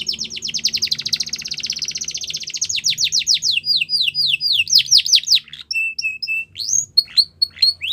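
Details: Russian canary training song: a long rapid rolling trill gives way to slower downward-slurred whistles, then short clipped notes and a flat piping tone, with a faint low hum beneath.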